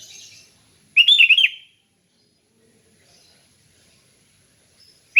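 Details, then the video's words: A sooty-headed bulbul sings calmly and loudly, a training recording for other bulbuls: faint high chatter at the start, then one bubbly warbled phrase of quick whistles, followed by quiet and the onset of another phrase. "Kicau Kutilang Ngeplong Santai, Cocok untuk Melatih Kutilang agar Ikut Gacor"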